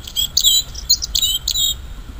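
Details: In nature, a Bluethroat delivers a short, lively burst of song: bright high chirps and twisting whistled notes strung closely together, ending after a couple of seconds.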